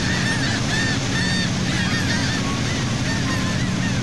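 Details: A flock of gulls at sea off Saint Martin, Cox's Bazar, Bangladesh, recorded from a boat, gives overlapping short, nasal, downslurred cries over the steady low drone of the boat engine.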